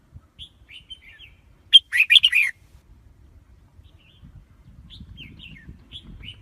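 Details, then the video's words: Red-whiskered bulbul: soft slurred whistles, then a strong half-second burst of bright, jumbled warbling, followed again by light whistled notes over a faint low rumble. "Tiếng chim chào mào"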